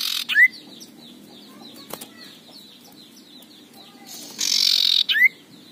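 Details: Aggressive male common iora giving its harsh rasping ngekrek call: two broad grating bursts, each ending in a short rising whistled note, about five seconds apart, with faint chirps from other birds in between.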